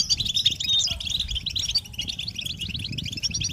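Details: Several European goldfinches in a group chatter, a recording meant to stimulate males into singing: dense, fast twittering and tinkling notes high in pitch, overlapping without pause, over a low background rumble.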